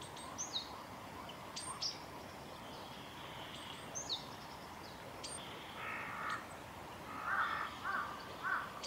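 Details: Japanese tit call notes, not song, at Kanigaya Park, Japan, on 20 February 2022: thin, high short notes, then harsh buzzy rasping bursts near the end, over steady background hiss.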